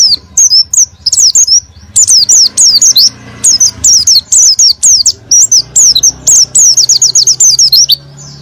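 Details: Lively oriental white-eye singing meant to stimulate a quiet bird: bursts of high, sharp, zigzagging chirps in quick succession, broken by short pauses, ending in a fast string of repeated piercing notes.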